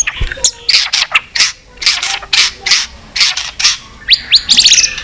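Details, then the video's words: White-rumped shama giving a varied fighting song, provoked and flicking its tail. Loud harsh, noisy bursts repeat about every half second, then clear whistled notes rise and fall near the end. "chòe lửa hót nhiều giọng kích bổi hót đấu"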